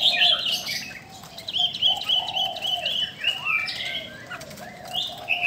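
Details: Female Chinese hwamei calling to provoke males: long, even whistled notes and sliding phrases, with a lower throaty warble running underneath and brief rustling.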